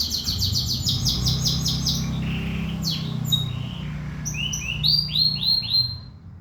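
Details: A canary sings energetically, opening with a fast high trill, pausing, then a run of short upward-swept whistled notes repeated rapidly, against a low rumbling background hum.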